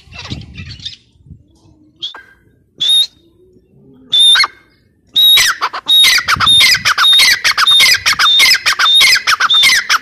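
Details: Dakhni teetar, a grey partridge, starts with a few separated whistled calls amid low rumbling, then breaks into a fast, continuous series of harsh squawks and high, clear whistles.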